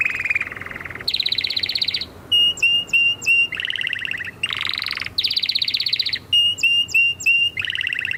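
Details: Singing canary alternating rolling trills at different pitches with groups of three or four sharp whistled notes that each drop and rise, a continuous energetic song.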